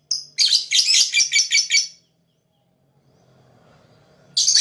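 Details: Lovebird, described as a fighter, chirping to attract other birds: a two-second string of rapid shrill buzzy chirps, a quiet gap with low rumble, then another loud burst.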